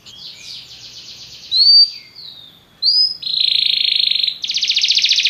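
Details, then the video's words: Belgian canary singing as a lesson for other canaries: soft buzzy roll, two sharp upslurred whistles, then loud sustained metallic rolls. "Canário belga tenta todos os canários a cantar"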